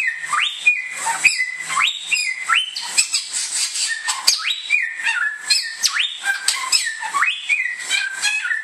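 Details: Samyong (Bare-throated whistler) of Indonesia delivers a lively series of upswept whistles, each jumping then holding level, mixed with quick chips and twitters, a faint hiss running high throughout.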